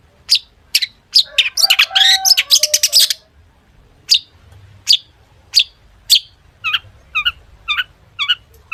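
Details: Long-tailed shrike in varied full song with mimicked phrases, meant to prompt shrikes to sing: a dense jumble of harsh chatter and whistles, then evenly spaced sharp chirps and repeated falling notes.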